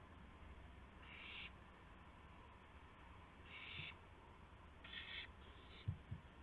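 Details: Owl at 2:51 AM on April 2, 2016, carrying a gopher to another owl. Three or four scratchy, breathy hisses come at uneven gaps, followed by a couple of sharp knocks at the end.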